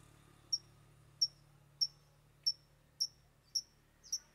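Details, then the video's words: Long-tailed Shrike (cendet) singing with three imitated fill-ins: sharp, thin, high ticking notes repeated evenly about every 0.6 seconds, seven in a row, the last one doubled, against a quiet background. "Cendet Bongkar 3 Isian"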